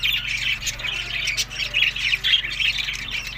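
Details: Budgerigars feeding in summer, May to June, in Larkana, Sindh: a dense, continuous chatter of scratchy, warbling squawks and chirps packed together, with brief louder bursts throughout and a low steady hum underneath.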